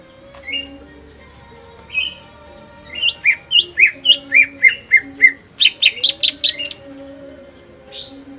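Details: Greater green leafbird in hyper, full-repertoire song used as a lure to provoke rival leafbirds into singing: sharp chirps and whistled notes around mid-high pitch, bursting into a rapid run of repeated clipped notes, over low steady background tones.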